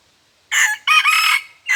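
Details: Red junglefowl decoy bird, said to crow only twice, close and loud: a rasping crow with a short first note, a long strained middle section, and the start of another note at the end.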